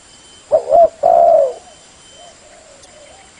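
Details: Lure call of a spotted dove used for trapping birds, heard as a quick two-part coo followed by a longer, smooth falling coo, then near silence with a faint continuous high-pitched hum.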